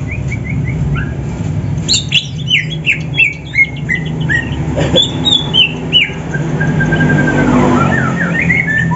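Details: Morning contest training of caged greater green leafbirds, a Banyuwangi and a Sumatran bird seeking a rival. The rich song mixes squawky notes with strings of quick, downward-sliding whistles, repeated and varied, over a low hum.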